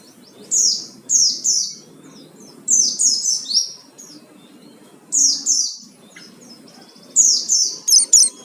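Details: Oriental white-eye singing to provoke other birds: spaced bursts of high, sweeping downslurred notes in quick pairs and triplets, with soft background noise between phrases.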